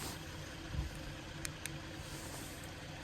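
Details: A vehicle engine drones at low pitch with a couple of brief clicks, and no animal is heard.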